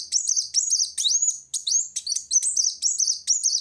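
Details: Continuous high, scratchy twittering from a purple-throated sunbird challenging a rival, mixing quick chips with one long rising whistled sweep.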